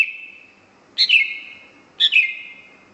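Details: Greater green leafbird, a vigorous singer, giving two spaced phrases about a second apart, each a short sharp note falling into a long, steady, clear whistle; quiet otherwise.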